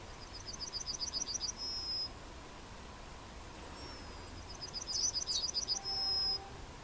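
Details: Yellowhammer (Emberiza citrinella) recorded at Plochocin in July 2013, singing twice: each phrase a quick run of high, repeated chirps ending in a long, level drawn-out note, about four seconds apart; faint other birdsong between phrases.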